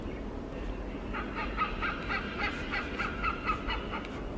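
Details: Wild hornbill in Singapore calling during an interaction, giving a rapid string of raucous, nasal cackling notes throughout, over a constant low background rumble.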